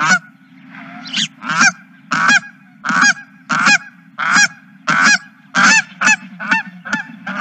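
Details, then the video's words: Geese at a ranch honking: loud, nasal honks repeated in a steady series, roughly one every half second, with several birds calling and overlapping near the end. "Geese and more Geese"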